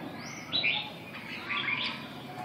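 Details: Softer red-whiskered bulbul song: two short whistled phrases with quick upward and downward slurs, separated by about a second, against a noticeable background hiss.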